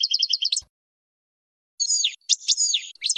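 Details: European goldfinch song used for training young birds: fast repeated liquid trills and twittering notes high in pitch, a short burst, a pause of about a second, then a longer twittering phrase; no other sounds.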